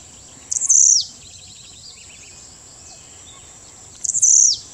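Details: Blue-black grassquit at Las Peñas, Ecuador: two very high, buzzy, sputtering notes that sweep downward at the end, about three and a half seconds apart, with faint softer chirps from other birds in between.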